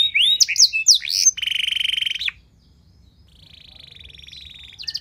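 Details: Canary lure song to encourage other canaries to sing: a jumble of sharp rising and falling whistles, a loud fast rattle, then a long soft buzzy trill and a brief closing burst.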